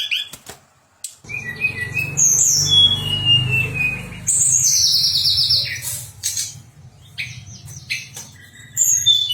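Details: Pied fantail song for contest training: clear descending whistled notes and high sliding phrases, separated by pauses, over a rumbling low-pitched background noise.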